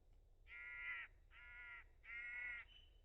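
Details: Willow tit (Poecile montanus) in a garden gives three harsh, nasal, buzzy notes, each about half a second long, in a steady slow series; faint low background rumble.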